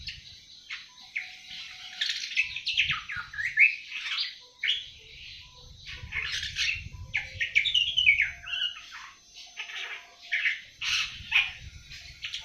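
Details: Seven-month-old awar-awar in early song: a long, jumbled warble of high chirps, slurred whistles and rapid twitters, loud and continuous with short breaks, over a low rumble.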